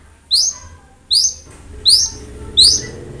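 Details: Long-tailed shrike training song used to prompt a reluctant cendet: four crisp, upward-slurred high notes spaced about 0.75 seconds apart.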